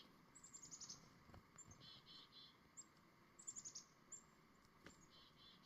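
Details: A chickadee in the morning gives two quick runs of thin, very high notes, each followed by lower buzzy notes, over a steady low background rumble.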